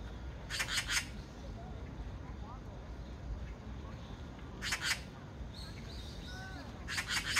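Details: Oriental magpie in Korea giving harsh rattling chatter calls, three short bursts of rapid dry clacking notes spaced a few seconds apart, over steady low background rumble with faint thin calls of other birds.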